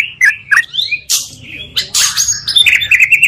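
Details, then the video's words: Lure song of magpie-robins meant to excite other birds: scattered whistled notes and noisy harsh bursts, ending in a quick run of repeated high chips. "pancingan murai 2 kali lebih menaikkan emosi muarai"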